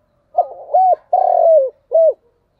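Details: One thúc gù phrase from a spotted dove: quick stammered notes, a rounded coo, a long rough coo that slides downward, and a brief final coo. The setting is quiet and clean.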